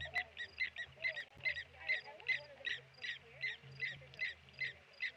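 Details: Blacksmith lapwings at Okaukuejo waterhole, Namibia, dive-bombing a tawny eagle, giving sharp metallic 'tink' notes, about two or three a second, in a steady ringing series, with low background rumble.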